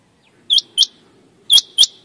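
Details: Male common quail (Coturnix coturnix) call: sharp, high, liquid notes in two quick pairs about a second apart, over a faint low background hum.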